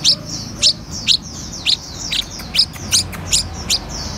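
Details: Red-whiskered bulbul described as 'eagle gene' stock, practising eating cricket abdomens: nine loud, sharp high chirps, each a quick downward slur, spaced about half a second apart over a faint low hum.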